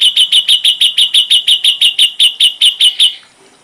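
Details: Ashy drongo, full-repertoire tutor recording for training songbirds: a sharp high note repeated about five times a second for three seconds, evenly spaced, then a fade to quiet.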